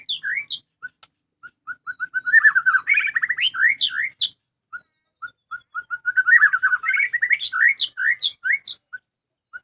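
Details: Home-kept white-rumped shama in full song, loud and lively: a run of short evenly spaced whistles speeding into a dense burst of trills and upward-sweeping high notes, repeated in two bouts.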